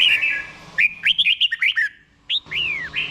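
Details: Red-whiskered bulbul in doubled song style, played so caged birds learn it: a rapid string of short, rising and falling whistled notes, a pause, then one long, clear, downward-sweeping whistle.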